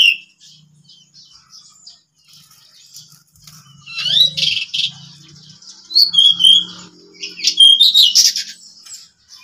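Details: Three pied bushchats kept at home, ngeplon-style singing: quiet start, then loud scratchy chattering phrases and clear high whistled notes in irregular bursts, with faint low rumble beneath.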